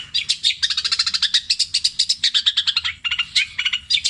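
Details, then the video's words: Long-tailed shrike rattling through copied calls of tengkek buto, kuntilanak and sparrow in the petir style. Dense chattering bursts of rapid high notes break briefly, then resume with sharper squeaky chips. "CENDET INI MUNTAHKAN TENGKEK BUTO KUNTILANAK GREJA NYERET PETIR KW PANJANG2 DAN DIULANG2!"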